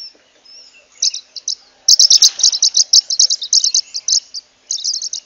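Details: Zebra waxbill (Amandava subflava) song: a rapid series of high, thin chirping notes, many per second in short bursts, with a brief broadband rustle partway through.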